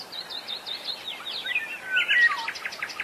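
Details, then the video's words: Wild black-naped oriole singing: fluty, slurred whistles mixed with a run of rapid repeated high chirps, all continuous and lively. "Burung Kepodang Kicau Burung Merdu"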